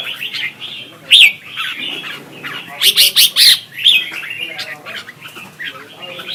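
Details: Red-whiskered bulbul singing competitively in Vietnam, recorded as decoy sound to stimulate singing. Bright whistled phrases mix with harsh squawky bursts, loudest clusters in the middle, then continued high warbling.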